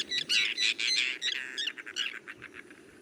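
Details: A Common Tern, a migrant in Sri Lanka, gives harsh, grating calls in quick bursts of about three or four a second, loud at first and then fading into a softer chatter.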